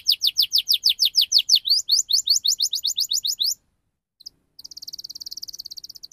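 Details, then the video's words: Rolling canary song used as a lure for young canaries: a rapid run of sweeping whistled notes, a short pause, then a steady buzzy high trill. "Kenari Gacor Speed Rapat Cuit Cuit NGEROL Tajam 99% Ampuh Untuk Pancingan Kenari Paud Pecah Suara"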